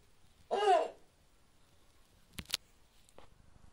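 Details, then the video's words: Snowy owl at a nest in a captive breeding enclosure, giving one short, hoarse, low harmonic call lasting about half a second. A few sharp clicks follow. "Гнездование белой совы Nyctea scandiaca в вольерных условиях питомника."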